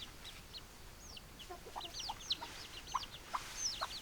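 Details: Busy chicken chatter: quick high chirps and curved peeps follow one another closely, with scattered lower clucking notes and a constant background hiss.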